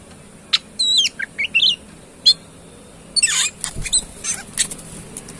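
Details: Tame, actively singing Oriental magpie-robin: looping whistled phrases and quick chips, then a harsh raspy burst, set against a constant hum and hiss.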